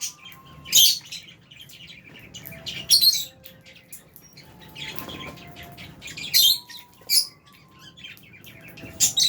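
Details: Lovebirds, albino and Fisher's, kept in an aviary, chirping: sharp high squeaky chirps in scattered bursts every second or two, with softer twittering between and faint fluttering and low background rumble.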